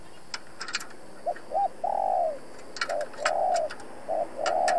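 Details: Trapping decoy spotted dove calling to draw in rival wild doves: two brisk phrases of short coos running into long, drawn-out hoarse coos, over a noisier outdoor background with sharp ticking sounds.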